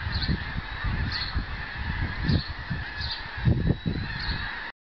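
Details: Backyard flock of Canada geese during migration, snow geese also named. Massed honking forms an unbroken background, with a few clearer higher honks every second or so and frequent low thuds close by.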